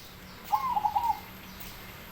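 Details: Zebra dove, a baron with a big voice, singing a single short phrase of a rising cooed note followed by three quick rolling staccato coos, over a low steady hum.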